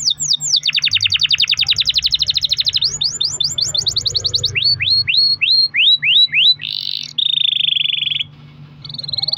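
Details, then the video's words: Long-rolling canary song played as a lure to get other canaries singing: a fast, dense buzzy trill, then swooping whistled notes repeated several per second, ending with harsh buzzy rolls and a short pause. "kenari gacor ROL PANJANG buat pancingan kenari agar bunyi"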